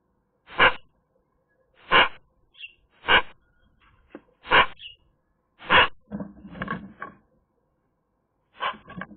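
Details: Short, dry chack notes from a Eurasian magpie, roughly one every second, plus a brief high squeak and a softer scratchy passage before a final pair of notes, recorded on a sunny day.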